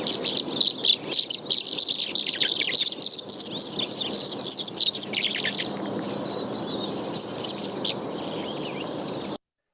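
Tree Swallows give a rapid stream of high, liquid chirps and twitters, several per second, bunched into bursts that thin out toward the end.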